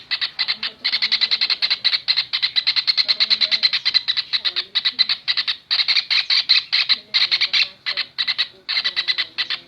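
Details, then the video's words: Training recording of a kingfisher for caged songbirds: long bursts of rapid, rasping, metallic notes that run together into chatters, broken by short pauses every second or two. "Masteran Burung Tengkek Raja Udang"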